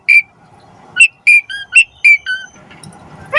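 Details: Asian pied starling giving short clear whistled notes, each one brief and slightly falling, repeated irregularly with pauses, a few quieter notes toward the end.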